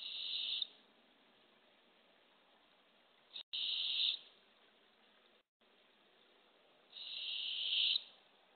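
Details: Barred owl nest box, early morning of April 27, 2024, with a female trying to deliver a baby opossum to a hungry owlet. Three breathy, hissing screeches, each under a second, separated by a few seconds of quiet.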